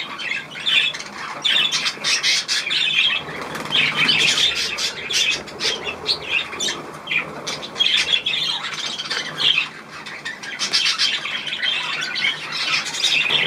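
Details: Budgerigars around their bath on 16 March 2024, giving continuous high scratchy warbling and short chirps in overlapping bursts, mixed with fluttering wing sounds and brief quieter gaps near the tenth second.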